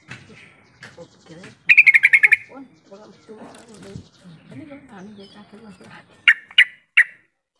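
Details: Yellow-vented bulbul calling to prompt quiet bulbuls to reply: a quick burst of about seven bright, even notes, then three separate sharp notes near the end, over soft low murmuring.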